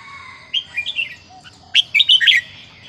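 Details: Caged Vietnamese red-whiskered bulbul, small and over ten years old, singing a counted-phrase song: two bursts of rich, bubbly whistled notes, rising and falling, with a low steady hum underneath.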